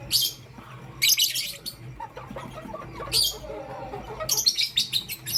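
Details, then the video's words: Morning chirping of pastel grey and green lovebirds: clusters of shrill, scratchy chirps roughly every second, with quieter twittering and small sounds in between. "Pastel Gray LoveBird Chirping Sound"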